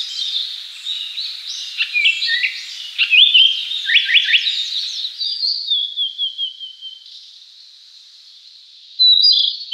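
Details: Narcissus flycatcher, a summer visitor in Japan, sings a varied run of clear whistles and quick chirpy notes, high-pitched, ending in a brief buzzy trill; no other sounds intrude.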